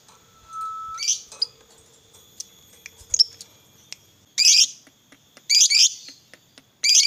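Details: Lovebird fighter used to make other lovebirds sing all day: scattered thin high notes at first, then three loud, harsh, bursting chatters near the end.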